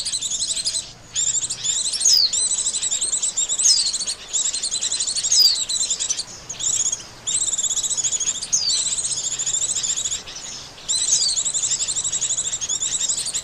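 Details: White-eye lure sounds for catching birds: long runs of shrill, pulsing chirps separated by brief gaps, with repeated downward whistled slides scattered through.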